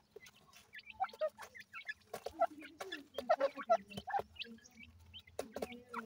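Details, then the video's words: Newly hatched grey francolin chicks, known locally as dakhni teetar, give short high peeping notes in irregular bursts, with faint clucking and scattered louder clicks and knocks in the background. "Gray Francolin baby,Dakhni Teetar bird Newly Hatched Chicks"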